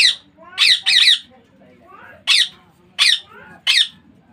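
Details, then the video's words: Baby Indian ringneck parakeet uttering about six harsh, hoarse squawks, some paired, with uneven gaps between them and a soft room background. "Baby parrot sound Ringneck Parrot natural sound."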